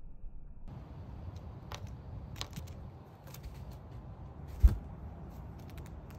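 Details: Soft low background rumble with scattered cracks and clicks, including one sharp knock near the end, and no animal calls.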